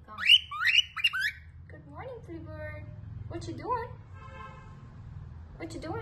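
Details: Spikey, a lutino cockatiel throwing a fit: three loud, harsh, upslurred screeches in quick succession, then softer warbled, chattering notes in a small room.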